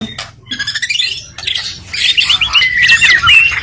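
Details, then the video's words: White-rumped shama, a fighter bird kept for singing contests, giving a rich burst of varied song: harsh squawky notes, quick rising whistles and dense high twittering, over a low rumbling background in the first second. "Murai Batu Fighter Cocok untuk Kontes"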